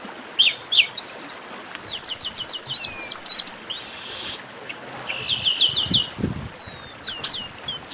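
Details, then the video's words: Chestnut-capped blackbird song in baderna style: quick high chips, sweeping downslurred whistles and a short buzzy burst, followed by a cluster of rising and falling whistled notes. "Baderna de Garibaldi"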